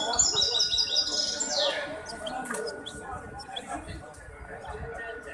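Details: Hybrid goldfinch singing in a song competition on 23 May 2021: rapid series of high, sharp repeated notes in the first two seconds, followed by softer chatter, background voices and a steady hum.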